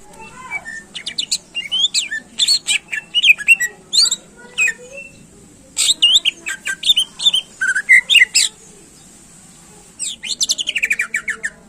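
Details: Greater green leafbird in harsh, intense song used to excite contest birds: rapid chattering bursts of squawky and whistled notes, ending in a descending run of quick buzzy notes.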